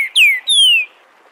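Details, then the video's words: Part of a Green-winged saltator song in the "Bom dia seu Chico liso" dialect, recorded live as a model for young birds: the end of one note, then two loud, clear descending whistles, followed by quiet. "Trinca ferro canto Bom dia seu Chico liso para ensinamento de filhotes"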